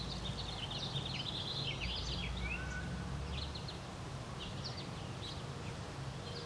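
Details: American goldfinch song: a quick jumbled run of high twittering, chirpy notes for about three seconds, then scattered short chirps, over a low steady background hum.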